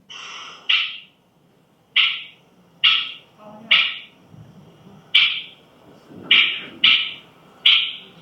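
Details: A catbird gives eight short, harsh, cat-like mewing calls, each a brief nasal burst about a second apart: its upset call given when danger nears or someone approaches the nest. The room is quiet between calls.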